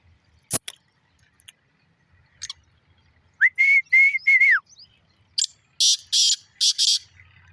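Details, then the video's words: Black francolin giving a rapid phrase of level, grating whistled notes that ends in a downward slur, followed by several harsh, broadband rasping bursts; a faint click and low background murmur precede it. "Kala teeter ka awaz"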